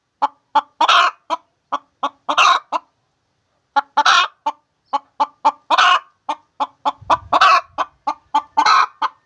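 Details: Egg-laying hen cackling in runs of sharp short clucks, each run ending in a harsher stretched squawk, with a quiet gap of about a second in the middle and a low thump near the end.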